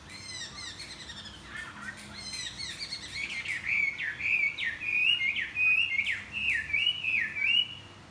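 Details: Morning song of a Chinese hwamei flapping its wings: a jumble of quick high notes, then a run of repeated, sharply dipping whistles at a steady pace, about one every half second.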